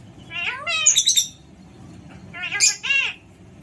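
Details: Alexandrine parakeet calling in two bursts: raspy, arched squawks stacked with rich harmonics, the first group rising then dropping, a second pair after a pause, over a faint steady hum.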